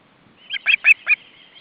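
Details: Hungry young ospreys at the nest in August 2012 as the male arrives with fish: four short, shrill whistled notes in quick succession, slightly rising and cut off sharply, over a faint hum.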